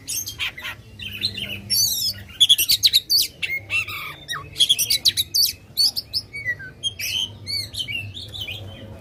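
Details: Oriental magpie-robin singing loudly, used to stir up contest birds: bursts of harsh rattling chatter alternate with high whistled phrases and twittering trills, separated by short pauses across the clip.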